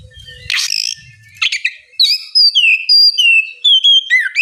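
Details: Ngeplong song of an Oriental magpie-robin, played so a bird too lazy to sing responds: a harsh rasp and chatter open, then a steady string of long, pure whistled notes with downward slides.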